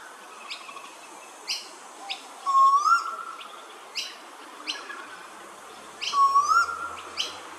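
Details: A male Eastern Koel at Hervey Bay, Queensland, gives two loud, rising whistled calls about four seconds apart, with sharp high chirps from other small birds around it.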